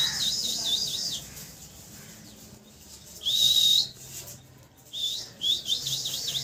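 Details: Parrot chirping in three bursts: quick high wavering whistles, then a steady shrill note held about half a second, then another run of warbling chirps, separated by short quiet gaps.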